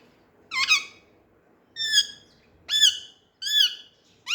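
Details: Young Indian ringneck parakeets, green birds playing with each other beside an Alexandrine parakeet, give harsh, rich-toned squawks: five loud grating calls, each about a third of a second, repeated roughly every second in a quiet indoor setting.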